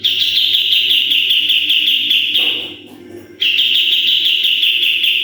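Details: Energetic full 'tembakan' song of a sooty-headed bulbul, meant for training other birds: rapid high chattering trill lasting over two seconds, a one-second break, then the same fast trill again; steady low hum underneath.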